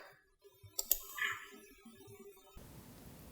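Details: Soft clicks and tapping like typing in a small room, ending in a steady hiss, with no animal voice.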